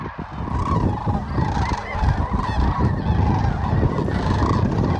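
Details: Sandhill cranes at Whitewater Draw, McNeal, Arizona, on January 19, 2023: a dense chorus of many rolling, trumpeting calls overlapping continuously over a steady low rumble.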